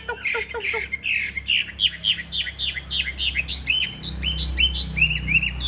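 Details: Large-bodied caged Chinese hwamei singing during a spreading fighting display: a few clipped chirps at first, then a rapid, busy stream of loud whistled and slurred notes tumbling over one another, with a faint low hum underneath.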